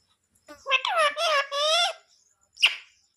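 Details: Parrot talking nonstop indoors: a short phrase of speech-like syllables with clear rising and falling tones, followed after a pause by a single brief squeak.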